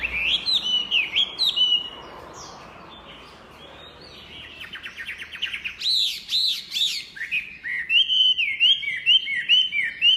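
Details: Chinese hwamei in lively song: wavering whistled phrases, a short pause, then fast buzzy trills and high ringing notes before tumbling, varied whistles resume.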